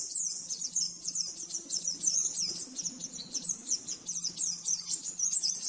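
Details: Oriental white-eye master song for training caged birds: a continuous rapid stream of very high, thin twittering notes, busy and unbroken, over a steady low hum and faint background noise.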